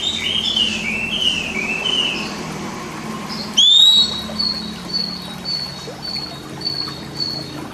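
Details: Oriental magpie-robin master song used to train caged birds that sing little: wavering, slurred whistles open the phrase, then a sharp upward note and a row of short, even high whistles repeated about twice a second.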